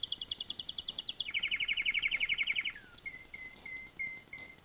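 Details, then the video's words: Canary song with a fast high pulsed trill dropping to a lower rapid trill, followed by short spaced whistled notes repeated about every half second. "singing canary"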